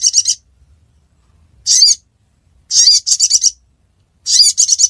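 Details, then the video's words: Ruby-cheeked sunbird recorded in Reului, Pidie, Aceh, Indonesia. High, thin chirping bursts come in short clusters of rapid notes separated by silent gaps. Faint low rumble in the background. "Burung Sogon Suara Durasi Panjang"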